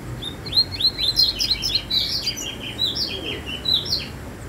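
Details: Song of a double-collared seedeater, noted as different from usual: rapid, jumbled high chirps and slurred whistles running continuously for over four seconds, dense in the middle and thinning toward the end.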